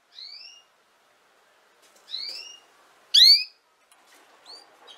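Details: Female canary with four short notes: two gentle upslurs, then a loud sharply rising note, then a faint chirp, separated by quiet gaps.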